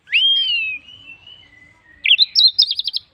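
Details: Orange-headed thrush, used to prompt other birds to sing: a long rising then falling clear whistle fading over two seconds, followed by a quick burst of high jerky twittering notes.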